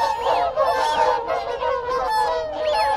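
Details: Whooper swans at close range giving group contact calls, rich, ringing honks blending together, with drawn-out arched whistles and background calls of wigeon and Canada geese.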